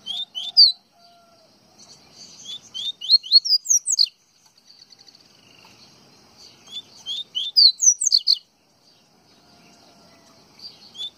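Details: Pernambuco coleiro baiano, the double-collared seedeater, repeating its song several times: series of short ascending chirps building to shrill high flourishes, separated by brief silences.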